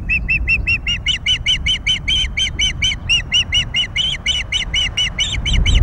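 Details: Osprey at a nest at Loch of the Lowes, Scotland, 22 May 2021, during feeding of three freshly hatched chicks; a steady, insistent string of piercing, slightly hoarse whistled yelps, about four per second, above background rumble.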